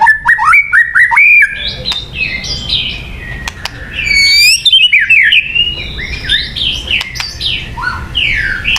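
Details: White-rumped shama singing, for luring birds: a lively string of rising whistles and quick slurred notes, followed by a tumbling medley of varied warbles and trills with scattered clicks.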